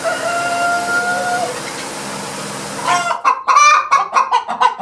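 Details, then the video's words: A chicken's weird noises: a long, steady, nasal drawn-out tone for three seconds, followed by a burst of loud, choppy, stuttering clucks. "Weird Chicken Noises"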